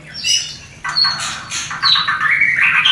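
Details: White-rumped shama mating song for prompting breeding in a new, not-yet-producing pair; high whistles open, then harsh buzzy notes and a climbing series of clear whistled slurs.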